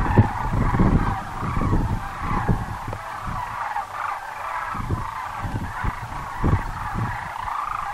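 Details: At Muleshoe Wildlife Refuge, Texas, sandhill cranes keep up a constant murmur of overlapping rolling calls, with a few louder swells. Heavy low-pitched buffeting, probably wind, runs underneath, strongest in the first seconds.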